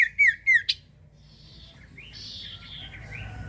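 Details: Common iora recorded as a lure to make birds answer: three brief whistled notes with a sharp high click, then quieter buzzy chirps and a thin steady tone in the background.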